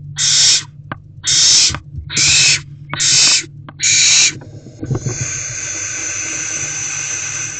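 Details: Wild owls calling in a nest box after a mouse is brought in, 16 March 2024, 8:26 pm. Five harsh, breathy hisses come about once a second. They give way to a steady high hiss of background noise, with a faint low hum throughout.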